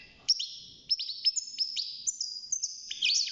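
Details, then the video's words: Caged young European goldfinch, six months old, just beginning to sing: long steady high whistled tones broken by quick sliding chirps and short twittering notes. "الحسون بعد مرور ستة شهور أصبح يغرد"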